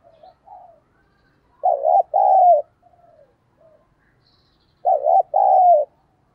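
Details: Cooing decoy spotted dove used to entice wild doves. Two strong phrases about three seconds apart, each a warbling first note and a longer coo, with quiet soft coos before and between.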